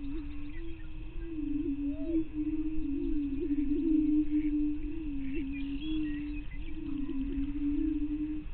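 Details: Dawn lek of greater prairie chickens near Glyndon in northwestern Minnesota, May 9, 2023, 5:30 am: continuous low hollow hooting blending into one droning tone with small pitch bumps, over constant low-frequency rumble.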